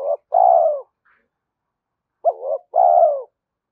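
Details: Spotted dove calls meant to lure and train decoys: two two-part phrases, each a quick low note followed by a longer, mellow coo that tapers downward, separated by about two seconds of quiet.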